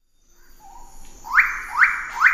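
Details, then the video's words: A pale-billed sicklebill (Drepanornis bruijnii) gives three loud, harsh, upward-sweeping notes about half a second apart, after a faint low whistle. "Suara Burung Surga Cenderawasih Paruh Sabit Paruh Putih Pale Billed Sicklebill Drepanornis Bruijnii"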